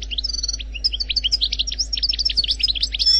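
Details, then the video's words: Khaloui-style song by an Algerian goldfinch: an unbroken stream of high, rapid twittering notes and short bright whistles, rising in loudness toward the end, with a soft low hum. "لغة الحسون الجزائري الخلوي بدون اخطاء Chant Chardonneret Algerie"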